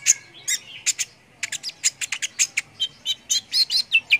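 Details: Konin sunbird singing, used to tutor competition cage birds: quick, high, clipped chirps and thin whistles delivered in an uneven burst, several notes sliding downward near the end, with no other clear sounds.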